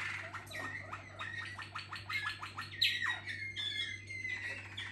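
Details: Waterslager canary team: rapid series of short downswept notes repeated in a rolling rhythm, then a louder sliding phrase and soft trills, over a continuous electrical hum.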